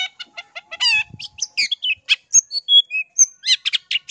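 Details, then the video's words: Long-tailed shrike singing a varied lure song to draw responses from other shrikes: quick chips, a harsh buzzy burst, then a medley of pure whistles, slurred notes and scratchy phrases in fast succession. "SUARA Pancingan Pentet GACOR"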